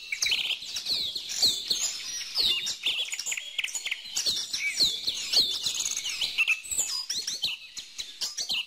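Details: A lively chorus of birds: high, rapid chirps, twitters and looping whistled notes overlapping continuously, with light clicking sounds in the background.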